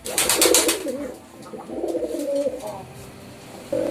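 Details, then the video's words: Rapid wing flaps open, followed by low, murmuring pigeon coos running for a couple of seconds, then a sudden louder coo at the close. "Pigeon Sound Effect 🦅 Pigeon Sound"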